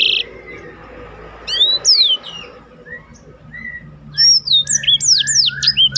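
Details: Black-throated canary song kept as a training recording for competition birds, with sparse high whistled slurs and sweeping notes, a quiet gap, then a quick run of rising and falling whistles near the end.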